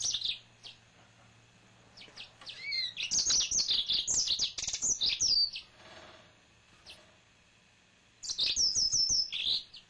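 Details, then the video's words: A male yellow-fronted canary kept as a pet sings a sustained stretch of rapid high twittering and slurred whistles, goes quiet briefly, then adds a series of repeated descending whistled notes. "Finch Green Singer Song (Serinus mozambicus )"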